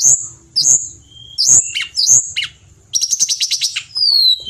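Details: Pied bushchat, locally tledekan gunung, singing lively in a bird-training recording: high sharp chirps and slurred whistles, then a fast buzzy trill of about ten notes and a thin descending whistle.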